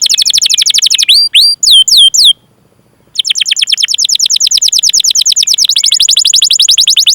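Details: Canary in full song with long chirping rolls, used to coax other canaries to sing: dense rapid downward sweeps, a few slower slurred notes, a short silence, then a long unbroken fast roll.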